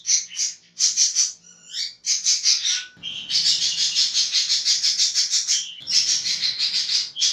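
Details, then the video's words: A budgerigar's harsh, rapid chattering warble, used as a tutor recording for other birds: buzzy high notes in long unbroken runs, with a few brief clearer whistles between bursts. "Parkit Ngekek Kasar"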